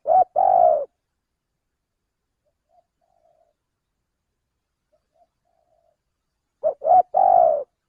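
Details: Male spotted dove giving a call used by bird trappers as a lure: phrases of two brief low notes leading into a long mellow coo, repeated after roughly six seconds of quiet.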